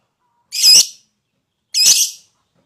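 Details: Lovebird urged to call; two harsh, shrill, high screeches about a second apart, each roughly half a second long, no other sounds.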